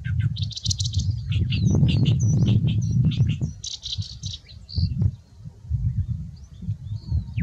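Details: A male Oriental reed warbler in a summer reed bed sings its breeding-season song of loud, harsh, grating, chattering 'gyo-gyo-shi' phrases over a heavy low rumble, advertising to females and claiming territory in a polygynous system.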